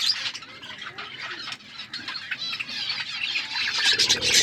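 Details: Wild budgies, as described, in an outdoor aviary, chattering as a group: fast overlapping squawky chirps and high warbles, steady and growing slightly louder toward the end.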